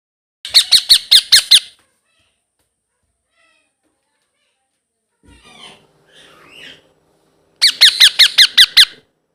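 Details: Young blue ringneck parrot calling: two loud bursts of about six to eight fast, grating, rising squeaks, with softer rustling and faint murmured sounds between them.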